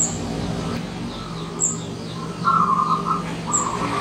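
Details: Visiting wild zebra dove giving two brief trilled, rippling coo phrases near the end, over scattered high chirps from other birds and a low droning background.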